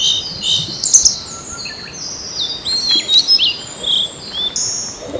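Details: Blue-and-white flycatcher singing on 25 April 2026, one of two birds in a territorial dispute, recorded with an ECM-M1 microphone at a field visited every year: a series of high clear whistles and short slurred notes with brief pauses between.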